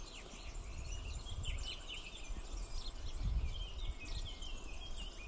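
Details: Parent swallows feeding chicks, with busy high twittering: overlapping short chirps and slurred notes come in quick succession, set against a constant low-frequency hum and rumble.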